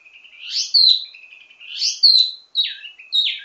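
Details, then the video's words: Wambi mini delivering varied ledekan (teasing) song, kept as a master bird for training others of its kind: sweeping whistled phrases that rise and then drop sharply, repeated about every one and a half seconds. "Ledekan Wambi mini Full Gacor Banyak Vareasi"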